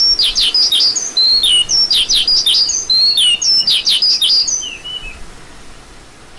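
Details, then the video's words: Lark uttering a run of clear, high whistled notes, many sliding downward, mixed with sharp chirps, the series slowing and fading into quiet near the end. "Lark Calling Sound"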